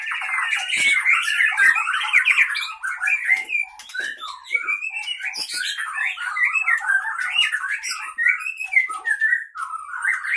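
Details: Aceh Leuser Pining white-rumped shama, caught 2012-2015 in Gayo Lues, fighting in the cage: long, unbroken flow of sharp, twisting whistles and chattering notes, loud and varied throughout.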